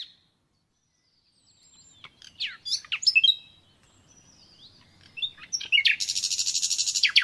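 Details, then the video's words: Common nightingale song of natural origin: scattered sharp whistled and chipping notes after a quiet start, then a rapid, evenly repeated, buzzy pulse series at a high pitch over the final second and a half. "Doğal Bülbül Sesi Dinle"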